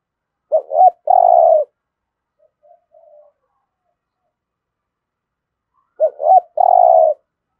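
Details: Two spotted dove phrases in the 'thổ' style, intended to get fresh captive birds cooing and fighting; short double notes lead into a sustained coo, separated by a long quiet pause with a few faint murmured coos.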